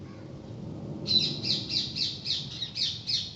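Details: Parrots that come to a bedroom door each day, giving a steady series of about eight harsh, scratchy squawks in quick succession over low background noise.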